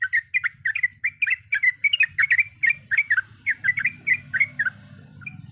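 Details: Sooty-headed bulbul, described as a female calling the male, giving rapid repeated chirpy whistled notes, bubbling and slurred, several per second in an even run, with a low hum underneath.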